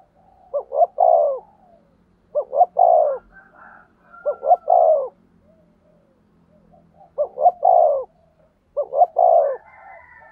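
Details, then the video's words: Spotted dove kept as a decoy, calling in a cooing duel to draw wild doves in: four deep phrases of clipped double notes and a drawn-out falling coo, roughly every two seconds, over a faint low hum. "Tiếng Chim Cu Mồi gáy gù đấu giọng may bổi, bổi nhà nghe nhanh"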